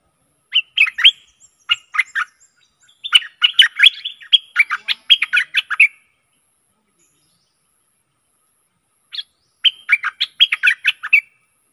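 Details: Lure song of a Stripe-throated bulbul meant to attract aggressive wild birds: quick phrases of bubbly, chattering notes, a long quiet gap, then another lively burst.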